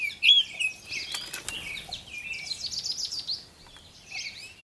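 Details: Baltimore orioles feeding on and fighting over grape jelly give short, high chirps and a scratchy chatter, broken by quick bursts of fluttering wings.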